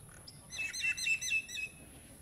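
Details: At a nest in an old utilities box, Ipoh, Perak, Malaysia, a common myna utters a quick series of rasping, ringing notes, five or six in a row over about a second, against a constant thin high-pitched hiss.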